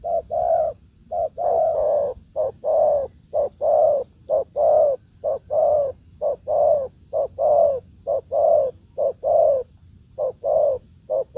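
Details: Spotted dove calling in forest while lured by a decoy bird: a long unbroken run of roughly a dozen short-then-long coo pairs at a brisk, even pace, over a continuous faint high whine.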